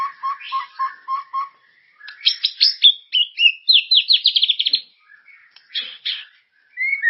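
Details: White-rumped shama singing a lure song meant to make caged birds sing: varied, rich phrases that open with low repeated chirps, then jump to high slurred whistles and fast descending trills, with brief pauses between bursts.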